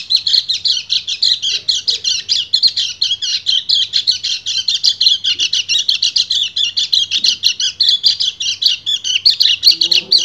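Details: A male white-eye (kecial kuning) in breeding condition gives a steady ngecir song meant to call the female. It is a long, rapid, pulsing high chatter with evenly spaced bursts, sustained throughout.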